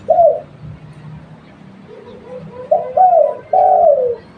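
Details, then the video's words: Local spotted dove serving as a lure, a brief coo then, after a pause, a phrase of two rising-then-falling coos, fairly clean background. "Tekukur lokal buat pancingan"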